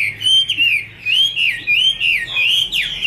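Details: Caged female Chinese hwamei singing as a male sings in the background: a flowing run of clear whistled notes that bend up and down, with a sharp downward slur near the end.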